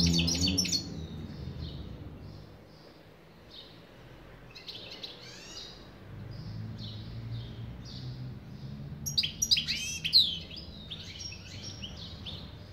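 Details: European goldfinch singing in bursts: a liquid twittering of quick high chirps and trills at the start, then a longer tinkling run of notes near the end, over a steady low rumble of background noise.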